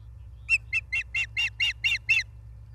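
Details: Osprey nest in Charlo, Montana, 28 August 2023, 16:08, live nest camera: a fast run of eight harsh, shrill chirps, about four per second, each note slightly louder toward the end, over faint low hum.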